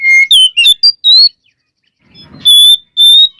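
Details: White-rumped shama song for provoking other shamas: several pure, sustained whistles and sweeps, a silent gap with faint low noise, then two long steady high whistles.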